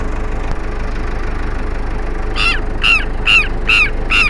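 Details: Southern lapwing confronting and harassing an elderly man: after two seconds of low background rumble, five loud, harsh, ringing calls repeat about every half second.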